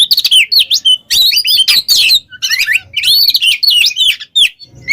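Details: Kept Oriental magpie-robin (kacer) in full song, meant as a training model for other songbirds: loud, rapid bursts of varied whistled and chattering phrases, sweeping and trilled notes packed closely with brief pauses between bursts.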